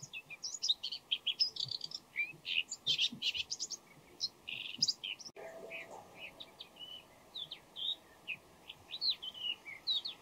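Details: Pre-dawn bull-headed shrike delivering a varied, mimicking song: dense clusters of harsh chattering and squeaky notes in quick irregular bursts, then a slower stretch of single whistled chirps and warbled phrases, against faint steady background hiss.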